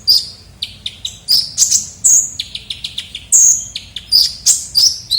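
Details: Kolibri ninja, a sunbird, in an energetic lure recording: rapid high, sharp chirps and short downslurred notes in quick irregular bursts, some longer thin whistled notes, with a faint low background hum.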